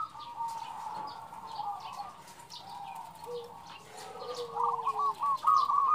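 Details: Female zebra dove calling the male: faint murmur at first, then a burst of quick staccato coos in the last second, with a soft lower falling whistle and other faint bird chirps behind.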